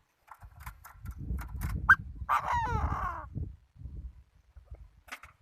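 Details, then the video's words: Chinese francolin used as a decoy: faint ticking notes, then a sharp yelp and a long hoarse, wavering note. Muffled bumping and rustling sounds around it. "Chim đa đa mồi"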